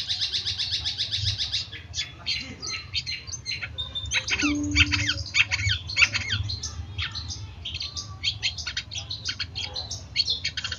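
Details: Long-tailed shrike, a tutor recording for training caged birds to sing vigorously: harsh squawking bursts and fast scratchy chatter. A rapid trill opens the clip, then comes a jumble of sharp notes and rasps with a faint low hum behind.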